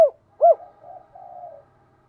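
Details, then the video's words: Decoy spotted dove calling to attract females: one strong arched coo followed by soft, low, drawn-out muttering coos that fade away, in quiet surroundings. "Chim Cu Mồi cu moi chuan gáy gọi hai hậu mới nhất"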